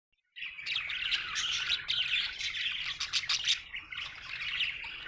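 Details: Happy budgerigar chirping: a dense, continuous warble of rapid chatter and short squeaky notes after a brief silent start, with occasional sharp clicks and buzzy bursts running throughout.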